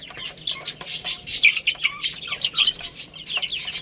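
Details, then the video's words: Loud chorus of baby chickens playing and eating: bright, high peeps in quick succession, each sliding down in pitch, several birds calling at once among sharp pecking clicks. "Cute Little Chicks Chirping Sounds| Baby Chicken Playing and Eating"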